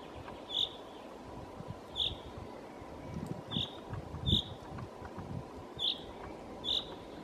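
Chaffinch giving short, sharp, high single notes, six in about seven seconds at uneven intervals, over a steady low rumble of distant traffic or wind.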